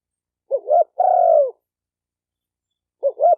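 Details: Spotted dove call used to stimulate males, females and decoy doves. Two short rising notes lead into a long, smooth falling coo, followed by a pause and the start of another phrase. The background is silent.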